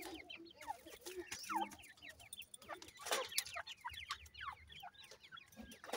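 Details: Several young francolin (teetar) chicks in a new season, peeping in a busy chorus of short, high, falling chirps, mixed with low clucks and frequent sharp rustling clicks.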